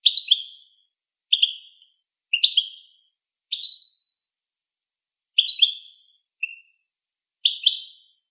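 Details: Goldfinch giving short, high, bright chirps, often doubled, in separate bursts about once a second across eight seconds, with clean silence between them.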